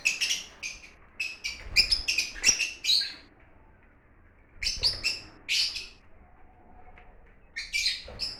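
Lovebirds give shrill, scratchy high chirps in quick bursts of several notes, with short pauses between bursts and a faint low hum in the background.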